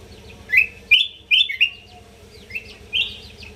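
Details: North Sumatran kutilang emas, or sooty-headed bulbul, singing lively phrases meant as a master song for training. Bright, slightly slurred whistled notes come in two groups, four quick notes, a pause, then two more, over a low hum.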